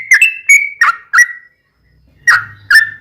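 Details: Yellow-vented bulbul lure song meant to provoke captive birds into replying: a few clear whistled notes, one drawn out and level, then half a second of silence before two more bubbly notes.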